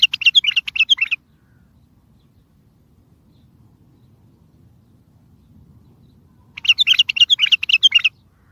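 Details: Strong bulbul song played to draw replies from other, distant bulbuls for trapping: a quick jumbled warbling phrase at the start, several seconds of near silence, then another bright, bubbling phrase of fast notes.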